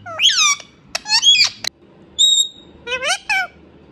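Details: Talking pet Indian ringneck parrot: harsh, voice-like syllables in quick clusters, a steady pure whistled tone, then two more rising, speech-like phrases.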